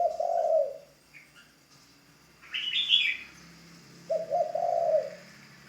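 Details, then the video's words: Ground decoy spotted dove being newly trained gives a low, hoarse coo, then a high chirp sounds from another bird, followed by a second wavering coo four seconds later. "Tiếng chim cu gáy mồi đất"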